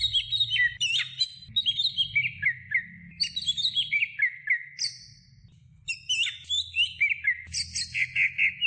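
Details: Greater green leafbird song from a medium-length training recording for songbirds: rapid, varied whistled and chirping phrases sliding up and down, with short pauses between bursts and a low background rumble.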